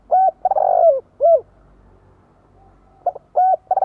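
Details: Spotted dove calling in the 'thúc gù' cooing style, used to provoke wild doves into cooing back: low, hollow arched coos, one long throbbing coo, a silent pause near two seconds, then quick stuttered coos.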